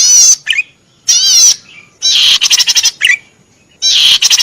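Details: Cici padi merah cisticola singing loudly and continuously, a recording meant for training caged birds: harsh, buzzy, very high bursts of rapid stacked notes, each followed by a short lower chirp, with brief silent gaps between phrases.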